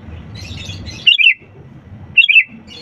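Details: Sooty-headed bulbul singing actively, used as a lure to get reluctant birds to sing: two short, bright, bubbly descending phrases about a second apart, over a low rumbling background.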